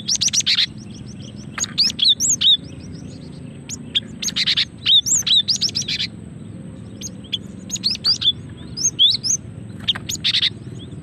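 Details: Female cinereous tit calling, a lure to set birds singing: loud buzzy rasping bursts and high whistled slurs in repeated phrases across the recording, with a steady low hum behind.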